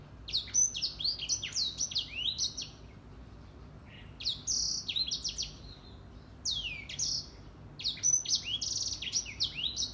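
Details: Grey singing finch in full morning song: bright, high twittering phrases of rising and falling whistles, delivered in separate bursts with quiet gaps.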